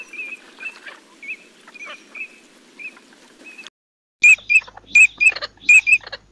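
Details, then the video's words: Eurasian teal giving short, clear whistled notes, often in quick pairs. The notes are soft and spaced at first, then after a brief pause become louder and more frequent, with faint rustling between them. "Il canto dell'Alzavola!"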